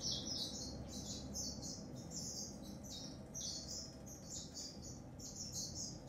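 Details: Dense, bright warbling from a grey singing finch: fast high chirps and trills follow one another without a break, over a faint low hum.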